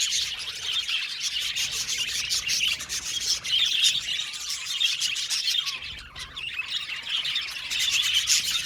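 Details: Budgerigar colony in an aviary, many birds chirping at once; rapid high twitters and scratchy chatter pour out continuously, briefly dipping in volume partway through.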